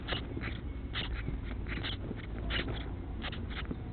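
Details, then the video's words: House sparrow chicks begging while adults feed them: clipped chirps in small clusters, coming roughly twice a second, with a constant low background hum beneath. "HOUSE SPARROWS FEED CHICKS"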